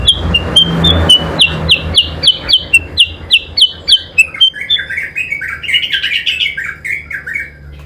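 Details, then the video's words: Chinese hwamei (kutilang sutra) singing against an oriental magpie-robin (kacer): rapid, loud, high chirped notes repeated several times a second, turning into a warbling jumble of buzzy, varied phrases. "kutilang sutra SUPER GACOR vs Kacer adu kicau"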